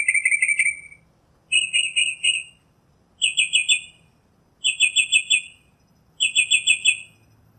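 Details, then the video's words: Singing northern mockingbird gives five high, bright phrases separated by short pauses. Each phrase is a fast run of repeated notes, and the pattern changes between phrases in a quiet setting. "Northern Mockingbird Song, Sound, Voice, Call, Melody - Sinsonte Canto - Mimus Polyglottos"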